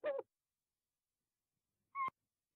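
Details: Tawny owl at night in De Mortel, 20 February 2021 at 22:02: a brief coarse note, then after a pause of nearly two seconds a short, sharp, clear call ending the sequence, in otherwise silent night air.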